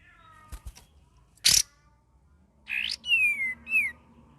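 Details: Young sooty-headed bulbul learning to sing with much variety: a few soft clicks, a loud rasping burst, then a buzzy note leading into two clear, downward-sliding whistles.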